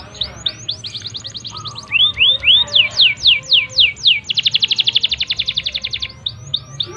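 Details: Vigorously singing ('gacor') canary, played as a lure to stimulate other canaries to sing quickly: rapid rolling trills, then a run of loud swooping slurred notes, then a long fast buzzy trill, with brief upward sweeps at the end, over a faint low hum.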